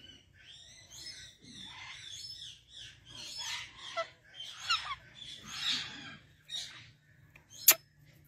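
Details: A rose-ringed parakeet, a ringneck parrot from Pakistan, talks in Urdu or Hindi with phrases such as 'Mia Mithu'. Its voice comes as a run of harsh, raspy, speech-like syllable bursts over several seconds and ends with one sharp loud click.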